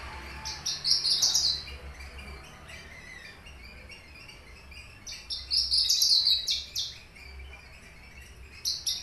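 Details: Papuan Horsfield's bush lark (aliena), caged and kept three years, delivering finch-type song fills: two bursts of high, rapid, buzzy twittering trills several seconds apart, then a short new phrase, with low background rumble.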